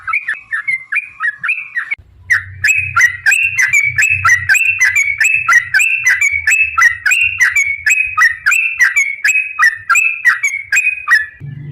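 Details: Long fighting song of a Yellow-vented bulbul used as a lure for other bulbuls: a short opening phrase, a brief break, then a loud, fast run of sharp bubbly chirps, with low thumping underneath.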